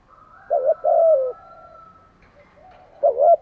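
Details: Spotted dove cooing in the morning: a short hoarse rising note, then a longer mellow falling coo, and after a pause another rising note, over a faint steady hum.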